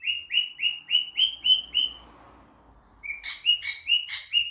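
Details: Pet cockatiel calling as if answering a phone call: a series of clear, slightly rising whistled chirps about every quarter second, a brief pause, then a harsher run of repeated chirps.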